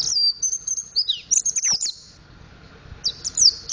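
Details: A mountain white-eye learning its song twitters in quick, very high, thin notes with sharp downward slurs, breaking off, then resuming in a brief jingling burst.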